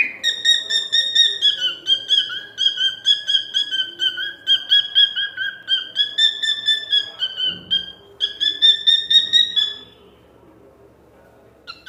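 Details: Cockatiel singing a steady whistled tune of sustained, slightly wavering notes, rich and clear, running for about ten seconds before a pause and a short final note; a faint low hum sits underneath.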